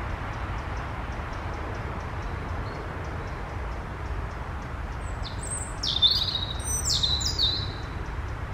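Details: European robin in a forest on the morning of 15 June 2023, giving a brief burst of high, thin, tumbling notes with quick descending slurs, over a steady low background rumble.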